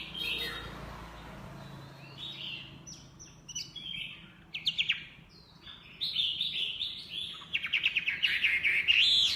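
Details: Chinese hwamei with scattered whistled notes and short trills, breaking into a dense burst of fast, loud warbling toward the end.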